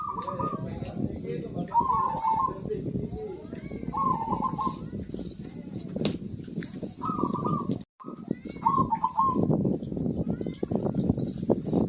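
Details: Prolifically singing zebra dove, played to prompt birds that have stopped singing: five short trilled coo phrases spaced a few seconds apart, against constant low rumbling noise with a brief dropout near the middle.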